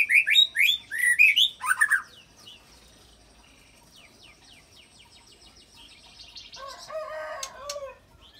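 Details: White-rumped shama filling its song with cililin and canary imitations to provoke rival fighter shamas: two seconds of loud, quick whistled notes, then a faint high ticking series and a lower buzzy warble.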